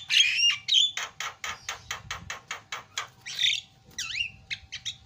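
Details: Javan myna singing 'isian' filler phrases as a lure for other birds: raspy opening notes, then a steady train of about ten harsh pulses, followed by wavering whistles and short chips.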